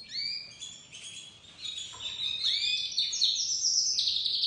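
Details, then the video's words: Young crested dominant-white domestic canary beginning to sing: high warbled phrases of rising and falling whistles, buzzy trills and quick repeated notes, with soft passages between louder bursts. "Canário doméstico branco de topete começando a cantar"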